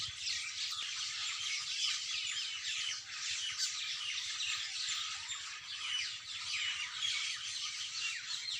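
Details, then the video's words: Early morning birdsong from a crowd of birds: thick layers of high-pitched chirping and twittering run without pause, with quick downward-sweeping notes scattered through the mix. "Birds Best singing in early morning"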